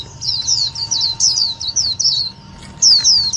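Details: Indian white-eye calls for trapping and stimulating other white-eyes, a dense chatter of high, thin downslurred chirps, then a short lull and two loud sliding notes, over a faint hum.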